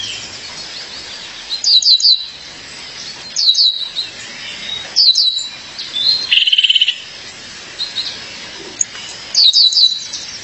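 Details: Calling her mate, a female violaceous euphonia gives five bursts of three or four sharp, descending high chips, plus a brief buzzy trill partway through.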